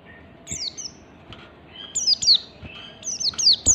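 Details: Oriental white-eye with a standard ngalas song for provoking other white-eyes to sing: a descending chirp, then mounting bursts of quick high falling notes that grow louder toward the end, over a faint hum.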